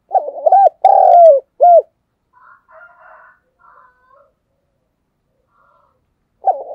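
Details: Spotted dove kept as a decoy, calling to attract wild doves. One full cooing phrase of quick coos, a long sliding coo and a clipped last note, followed by faint soft sounds and the opening of the next phrase.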